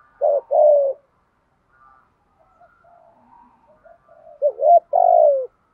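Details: Spotted dove giving a thúc gù coo used to rouse and train other doves. One two-part phrase opens the clip, soft murmuring coos fill the middle, and a clear rising note with a long falling coo ends it.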